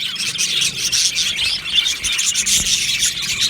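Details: Many Australian budgies chattering in an aviary colony on 15 July 2025, a thick layer of shrill, warbling chirps running without a break, with a few louder squeaks standing out.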